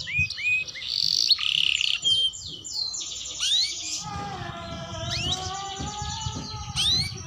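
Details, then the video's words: Young canary learning to sing: varied chirps, buzzy bursts and rising whistles, followed by a sustained steady tone with overtones that may be an instrument or other sound, and faint twittering. "Suara Kenari Muda Belajar Bunyi"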